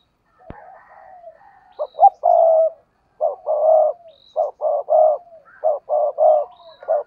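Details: Spotted dove used as a decoy bird, cooing intensely. Low hollow coos come in short grouped phrases, about a second apart, with a sharp click at the start and a few faint high chirps in a quiet background.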